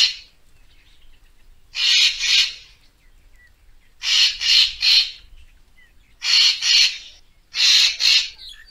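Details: Racket-tailed treepie calling, a recording used to lure birds for photography: loud harsh rasping bursts of two or three quick pulses, repeated roughly every two seconds, with a quiet background between.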